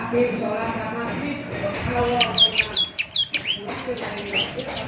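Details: Ciblek semi singing, meant for morning playback so other birds answer: after two seconds of low background murmur, a burst of sharp high downslurred chirps, about eight in quick succession, over a steady hum.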